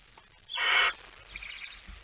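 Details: Barn owl at night, a male arriving with a mouse, 17 September 2019 at 23:55; one harsh, breathy hissing screech of about half a second, followed by a fainter hiss.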